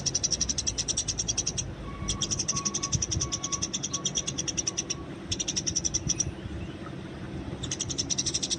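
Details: Wild Eurasian tree sparrows recorded in the open for training other birds, with fighting noted: bursts of rapid, dry, high chirps in repeated blocks separated by short pauses, a faint steady mid-pitched pulsing tone behind, and low background rumble.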